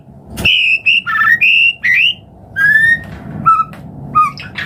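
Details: White-rumped shama song intended to trigger singing in other birds: clear, fluty whistled notes at varied pitches, some doubled, spaced by short silences, with a sharp click at the start.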